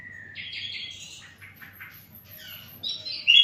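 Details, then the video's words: Flycatcher (sikatan londo) giving a jumbled run of whistles and twittering notes, with a thin high tone and a low background hum. "sikatan londo beraksi"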